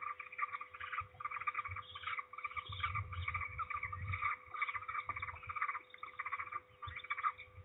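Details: Peregrine falcon at a nest in Trzebież, 16 May 2019, one bird returning loudly as another slips away: dense, harsh, rapidly repeated harmonic calls in a steady chattering stream, with low rumbling noise and a constant hum underneath.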